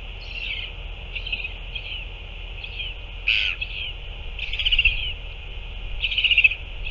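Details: Northern royal albatross recorded on 9 February 2024 during a feeding at the nest. Short harsh bursts repeat irregularly over a steady high hiss, with a few louder rasping calls toward the end.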